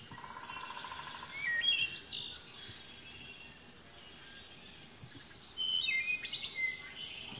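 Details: A Wood Thrush at Point Pelee National Park, Ontario, on 13 May 2021, shortly after arriving, sings two flutelike phrases a few seconds apart, each ending in a high, buzzy trill, over a soft, steady outdoor hiss.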